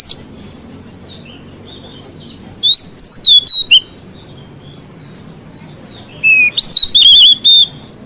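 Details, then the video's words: A white-rumped shama sings to provoke other shamas: soft thin whistles, then two loud phrases of clear slurred whistles and quick chips, separated by several seconds of near quiet. "KICAUAN KACER MEMICU EMOSI KACER LAIN"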